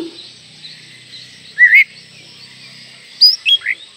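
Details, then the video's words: Oriental magpie-robin singing actively with tail spread, used as a lure to get young birds singing; two brief bright whistled phrases, one rising sweep and then a quick run of three sharp notes, over a steady high hiss. "PANCINGAN KACER MUDA AGAR CEPAT GACOR"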